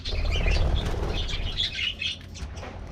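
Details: Budgies in an aviary colony at a morning diet treat, flurries of fluttering wings with light chirps and warbled notes above a low rumble.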